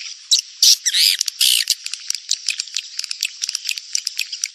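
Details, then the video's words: Mating-period swiftlet lure sound for the rainy season: three long harsh buzzy squawks early on, followed by quick irregular high-pitched clicks and chirps. "SP Birahi Musim Hujan"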